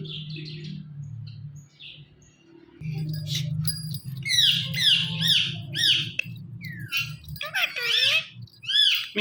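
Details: Male and female Indian ringneck parrot pair kept as pets, hanging on a door in the morning, calling together: a rapid run of shrill, scratchy squawks and chattering notes, several per second, over a steady low hum.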